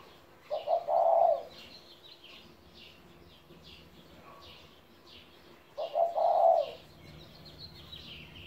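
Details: Two low coo phrases from a 17-year-old pet spotted dove, about five seconds apart. Each has short lead-in notes and a longer mellow coo. Many small birds chirp and twitter at a higher pitch around it.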